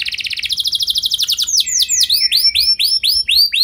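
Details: Training song of a canary meant to get other canaries singing long rolls; a fast even trill runs for a second and a half, then changes to looping arched whistles repeated roughly three times a second.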